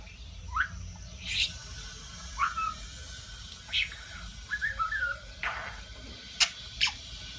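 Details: Pet budgerigar that talks and declares love; sparse short whistled rising notes and sharp chirps spaced a second or more apart, with low background hum between them.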